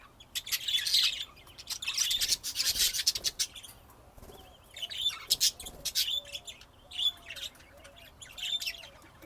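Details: Budgerigar chatter from Texas, USA, 2025: dense scratchy warbling and chirps, louder early, with a faint low wavering whistle running underneath in the second half.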